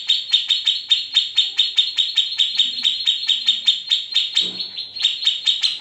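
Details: Grey-cheeked bulbul trilling, from an unedited master used to tutor shamas and leafbirds: evenly spaced high chattering notes in quick succession, a faint low thump midway, then a short gap before the rapid notes resume.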